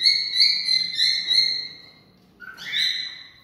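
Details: Cockatiel singing to stimulate mating: a long, steady, whistled phrase with gentle wavering, a short break, then a fresh rising whistle that bends downward, all over quiet low background hum.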